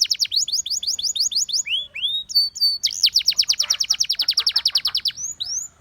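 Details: Russian singing canary song made of fast rhythmic series of falling high notes, a couple of slower rising slurs and flat whistles, then a long rapid trill ending in rising whistled notes.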